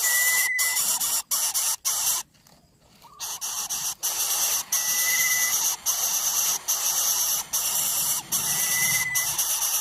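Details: Greater coucal nest with three chicks begging from the parent, which becomes overwhelmed and angry: rough hissing bursts repeated quickly, a short quiet pause early on, then rasping resumes, with thin whistles heard three times.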